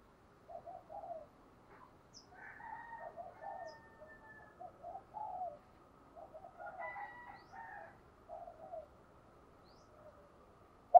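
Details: Decoy spotted dove cooing in the morning to draw in wild doves; repeated soft, low coo phrases at a distance, with faint higher calls overhead and light background hiss.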